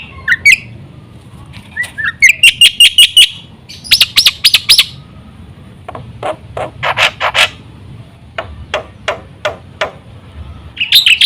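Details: Black-winged myna lure song to get other mynas singing: scattered whistles and bright chirps, a quick chirp series, then spaced sharp notes with short silences, ending in a higher whistle.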